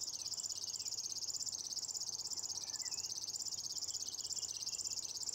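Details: Singing river warbler in a lupin meadow, Nolby, 23 June 2021. An unbroken mechanical, cricket-like reeling of fast, even pulses at high pitch, gently undulating, with a few faint chirps from other birds underneath.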